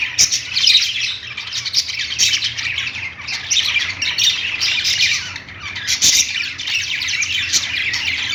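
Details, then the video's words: Pet-store budgerigars singing on their perch make a constant, crowded stream of squeaky chirps and harsh squawks, swelling and easing in loudness, with occasional sharp taps and a quiet low drone. "budgies singing on perch | parakeet chirping sounds in pet store"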